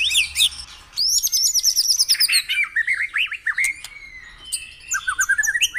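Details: Morning song of a white-rumped shama, meant to trigger caged birds to sing: a short high phrase, a pause, then a long rippling series of zigzag whistles that slows into separate slurred notes, ending in high trills.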